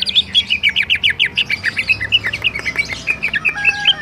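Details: Greater green leafbird (Chloropsis sonnerati) singing its rolling song: a nonstop stream of bright, sweet, high, clear chirps, about four or five a second, with faint room echo.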